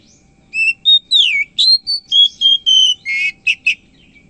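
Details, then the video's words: Morning song of an Oriental magpie-robin, a rapid series of loud clear whistles, some steady, some sweeping down, ending with a few harsher buzzy notes, roughly a dozen notes in under four seconds. "KACER HARIAN GACOR KICAUAN PAGI"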